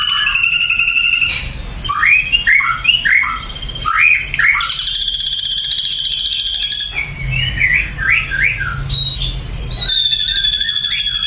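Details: Varied song of an Ashy drongo: bursts of quick whistled and squawky slurred notes, rising and falling, alternating with long harsh buzzy trills at a steady high pitch.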